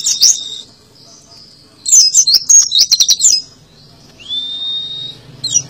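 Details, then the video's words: Tembakan-style song of an Oriental white-eye: a quick chirp, a pause, then a dense burst of shrill, jumbled twitters, followed by one long, even whistled note and a final short chirp; low background hum. "PLECI TEMBAKAN ADUHAI"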